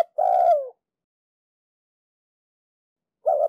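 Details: Ninh Thuận decoy spotted dove calling on a wooden block to encourage newly caught doves to coo. It gives a long, mellow falling coo, then silence, and a new warbling phrase begins at the end.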